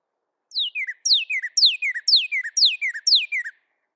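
Northern Cardinal song: six clear, loud whistled notes, each slurring steeply down from high to low, repeated about twice a second like 'birdie, birdie, birdie'.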